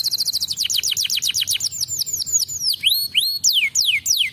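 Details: High canary song for prompting juvenile birds to sing, opening with a rapid series of descending whistles that slows into widely spaced swooping notes, some rising, some falling.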